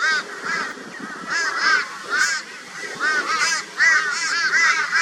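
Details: Crows tormenting a barn owl in Brisbane, Australia, on 22 February 2022 with high-volume raucous calling; harsh cawing notes come in uneven bursts, several birds overlapping.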